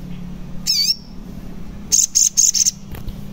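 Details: Lure song of a sogon to make a silent bird answer. One looping slurred whistle is followed by four quick, shrill, buzzy notes in a tight series.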